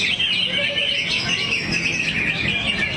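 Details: Greater green leafbird in a low crouch, singing continuously: a dense flow of high twittering and warbled whistles with a faint voice in the background.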